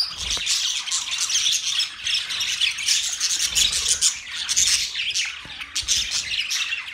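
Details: Australian parrot budgies chirping in a group: thick, continuous layer of scratchy high chirps and squawky chatter, with a few low knocks.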